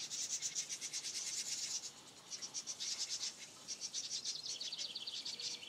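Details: Nestling house wrens in a continuous high, raspy, buzzy chorus that pauses briefly at about two seconds, then resumes and continues to the end.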